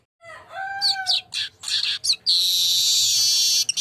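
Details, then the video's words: Golden-headed weaver song used as a lure to get birds singing: it opens with clear level whistles, then breaks into scratchy high chatter and ends in a long, dense, sizzling buzz. "Masteran burung Manyar kepala emas biar rajin bunyi"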